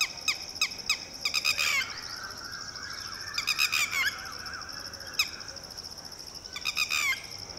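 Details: Red-wattled lapwing (Vanellus indicus) mother with a newly hatched and a two-day-old chick screams shrill, piercing alarm notes in rapid rising-then-falling bursts as a shikra swoops overhead, warning chicks to sit still; thin high hum behind.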